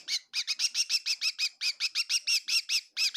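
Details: In a kitchen at Tseminyu near Kohima, a bird gives a close, loud series of sharp, high, slightly squawky chirps in quick, even succession, with a short break near the start.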